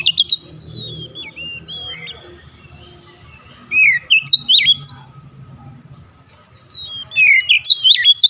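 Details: Oriental magpie-robin song used to get a silent bird singing: looping whistled phrases, a lull with low humming background, then two bursts of quick sweeping whistles and chirps.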